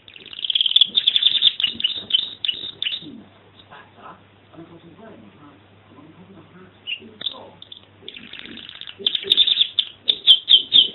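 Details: Canary pouring out rapid high trills, falling quiet while people talk softly, then resuming with loud, ringing rolled phrases.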